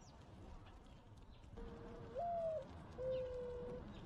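A mourning dove gives soft, low, hollow coos: a drawn-out note that lifts and falls, then a long steady coo, over faint background hiss.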